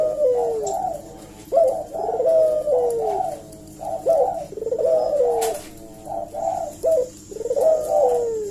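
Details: Eurasian collared dove coos played as a lure so other birds answer: sharp rising notes followed by soft descending coos, the phrase returning roughly every two to three seconds, with a faint click in the background.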